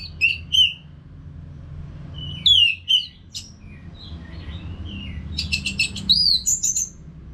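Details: North Bali orange-headed thrush singing without stopping, used as a training sound for caged birds: scattered clear whistles and slurred notes, a burst of rapid buzzy trills near the end, and a faint background hum.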